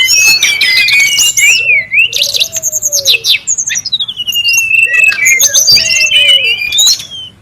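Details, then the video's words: Wild Brown-chested jungle flycatcher, noisy, recorded as a lure and tutor sound: a continuous jumble of high sliding whistles, rapid chattering notes and zigzag phrases, with low mellow whistles mixed in. "SUARA PIKAT DAN MASTERAN BURUNG SRDC(sikatan rimba dada coklat) RIBUT DI ALAM LIAR"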